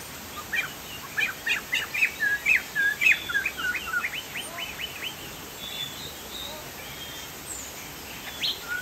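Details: Chinese hwamei, known locally as poksay jambul, in lively song: a rapid, loud series of sharp chirping and whistled notes for about five seconds, then softer scattered notes and a high whistle over steady background hiss.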